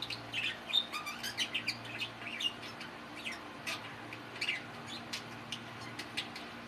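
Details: Male pet budgerigars chattering in a run of short, scratchy chirps and squeaky notes with brief clicks, each burst lasting a fraction of a second, over a faint steady low hum.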